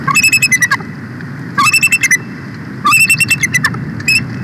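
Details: Bald eagle at a Big Bear Valley live nest camera, 4 March 2024, calling its mate to take a nest shift: four bursts of rapid, high, staccato chittering notes with squeaky overtones, separated by short pauses over a low background rumble.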